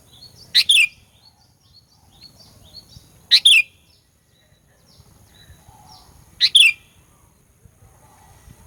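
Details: Sooty-headed bulbul used as a lure to provoke rivals: three bright, piercing two-part phrases roughly every three seconds, set against faint high twittering of other small birds.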